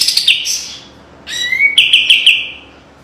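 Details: High, sharp song of a kapas tembak white-eye used as training master song: a short burst of chirps, a pause, then a rising whistle leading into quick clipped notes on one high pitch.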